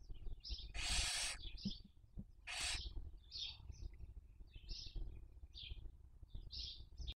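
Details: Barn owls raising young, filmed by nest webcam in Cabañeros National Park, Castilla-La Mancha, Spain, during the 2023 breeding season: two loud, harsh hissing screeches among many short, high chirping notes repeated throughout.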